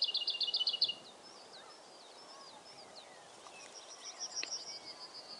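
Lesser whitethroat giving a quick, dry rattle of about eight high notes on one pitch, followed by faint twittering of other birds and a softer, more distant rattle.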